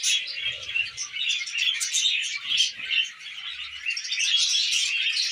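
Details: Tamed budgies eating millet fill the air with nonstop rapid twittering, overlapping chirps and scratchy warbled notes from several birds, with little else heard.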